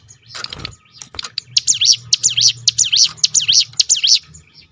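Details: Ciblek gunung, a prinia, in a 'tembakan' roll intended to set other birds singing; a brief rustle and clicks open, followed by a tight series of high, sharply sweeping notes.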